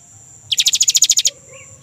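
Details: A young great tit gives one quick rattling trill of about a dozen sharp, evenly spaced pulses lasting under a second. This rolling song serves as a lure for kept birds. A thin steady high tone runs behind.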